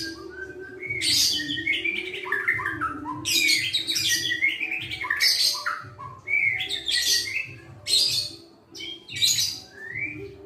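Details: Caged white-rumped shama, raised by hand from a chick and now at the young-adult pastol stage, sings a sweet, varied song of rich bursts of whistles and chattering notes, with quick falling slides, repeated every one to two seconds over a low steady hum.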